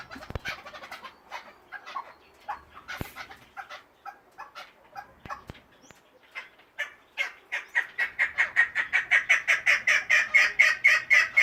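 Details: Kept chukar partridge calling: soft scattered clucking notes build into a loud, steady run of rhythmic, harsh chuck notes, about two per second, growing stronger toward the end.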